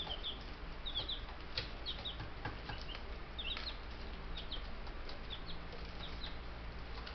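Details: Buff Brahma chicks, a brood of ten picked up from the post office, calling in short downslurred peeps, several overlapping, with scratching clicks and background hum.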